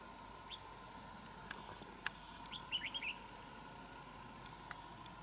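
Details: Territorial fight between a wild red-whiskered bulbul and a decoy bird at a trap; a faint upward chirp, then a short run of quick warbled notes, with occasional sharp clicks and low steady hum behind.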